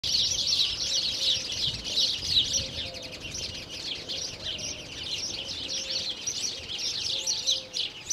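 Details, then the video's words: Spanish sparrows (Passer h. hispaniolensis) at Lake Kerkini National Park, Greece, in April 2024 chirp nonstop in a dense, overlapping chorus of high chirrups, with a faint low whistle now and then underneath. "Moineau espagnol (Passer h. hispaniolensis) Spanish Sparrow"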